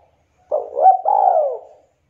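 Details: Spotted dove of Javanese local type, a frequent, melodious singer used as a prompt for reluctant doves: one crooning phrase, a brief rising double coo and then a long mellow note sliding downward before fading out.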